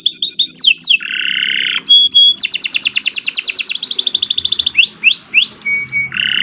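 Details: Canary in a lure recording for training birds, long nonstop song of rapid trills, a buzzy low rattle, drawn-out whistles and sweeping descending notes, changing phrase every second or so.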